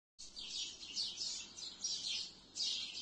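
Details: A flock of sparrows in trees at twilight chirping together in a dense, high, continuous chatter that swells in waves every second or so.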